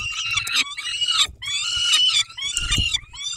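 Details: Peregrine falcons at a feeding in Dobra on 19 May 2021, 11:48: loud, grating, drawn-out squeals in three long bursts, with a few soft low knocks.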